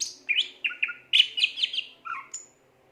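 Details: Rapid gacor phrases from a Greater green leafbird: quick bright chirps and buzzy slurred notes, ending in a lower whistle and a high thin note.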